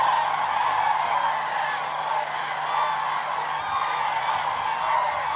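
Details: Common cranes at Hornborgasjön, Västergötland, Sweden, in April 2009, gathered for their spring dancing: a dense, continuous chorus of many overlapping honking, trumpeting calls, a steady wall of sound without pauses, filmed with a Canon XL2.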